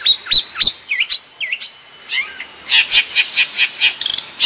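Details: Madura long-tailed shrike tutor song: looping, hooked whistles and quick chirps, a brief pause, then a rapid train of harsh, buzzy, rhythmic notes around four per second.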